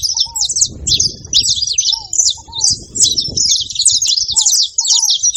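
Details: Saffron finches flocking together at a feeding place produce a steady tangle of high, clipped chirps and quick twittering notes, about two per second. A low, slurred whistle returns several times beneath a soft background rumble.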